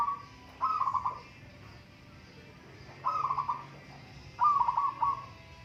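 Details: Zebra dove of local stock in a singing contest: three stuttering, purring coo phrases, each a quick series of pulsed notes lasting about half a second, repeated at intervals of around two seconds, with soft low background noise.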